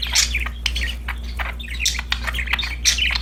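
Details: Happy budgerigars playing, a continuous run of rapid chattering warbles and short squeaky chirps, backed by a constant low hum.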